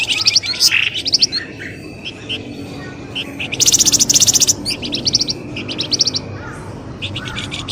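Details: Bird lure calls meant to pull birds out of thick scrub: clusters of shrill, rapid chirps in uneven bursts, with a dense buzzy volley near the middle.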